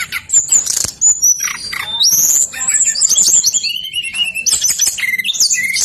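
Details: Brown-chested jungle flycatcher in insistent song used as a lure for other singers: a tumbling string of very high whistles and trills, one long sweeping note, then descending whistled phrases running almost without break.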